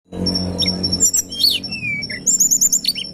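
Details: Sunda robin (tledekan gunung) song used as a bird-catching lure: a low hum for the first second, then a long high steady whistle under sharp rising and falling notes and a rapid trill of short chirps.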